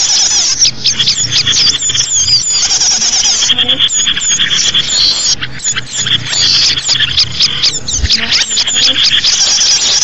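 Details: Many small birds call together in a recording meant for luring small birds, a steady wash of high chirps and short up-slurred whistles with no pause, plus a faint low hum.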